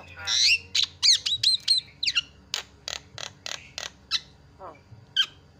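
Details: Javan myna giving a loud tutor song, described as a champion's senior singing. Squeaky whistled notes and bent squeals open the phrase, then a run of sharp dry clicks and chacks at irregular intervals, with a faint low hum beneath.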